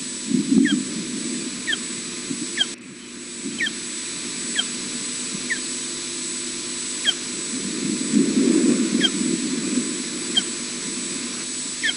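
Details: Ospreys feeding at the nest at Loch Garten, Abernethy Forest, Scotland, recorded by nest camera at 12:35 pm on 18 May 2016; short, thin, upslurred chirps repeat roughly every second over steady low rumbling noise.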